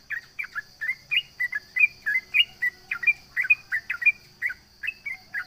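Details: Sooty-headed bulbul sings loudly to goad rivals into responding: clear, bright chirped notes, some rising and some falling, repeated in a brisk, uneven rhythm over a faint high hum.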